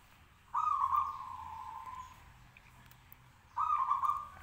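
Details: Local zebra dove in a cage in full song to provoke other birds to reply; two vibrating, trilled coo phrases about three seconds apart, the first held over a second and slowly falling.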